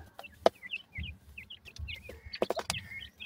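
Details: Francolin chicks, several calling together: short high chirps with little downward slurs, repeated in quick irregular bursts, broken by a few sharp knocking clicks and low thuds.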